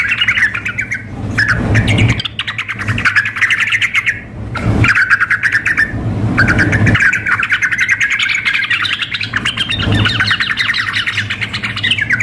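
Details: Sooty-headed bulbul, a female calling the male mixed with an agitated, vigorous male in a contest-style recording: dense, overlapping chattering phrases repeated without pause, with rumbling low noise bursts throughout.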